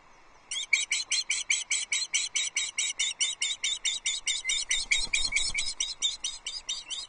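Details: Osprey family at their nest at Loch Arkaig on 3 July 2022 as a fish is delivered for breakfast: a long steady series of sharp, high chirped calls, about two per second, with a faint low thump midway.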